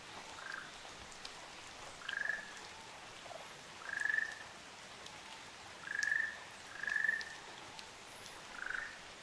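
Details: On Amami Oshima, Japan, a pair of Ryukyu ruddy kingfishers calls with six rattling trills spaced roughly two seconds apart. The first and last trills drop lower in pitch. Light rain-like patter runs throughout.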